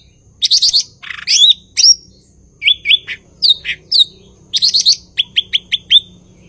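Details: Blue-winged leafbird, called cucak ijo in Indonesia, giving varied song: rattles, a harsh buzzy burst, slurred whistles, ending with five quick identical rising notes; a low hum runs underneath.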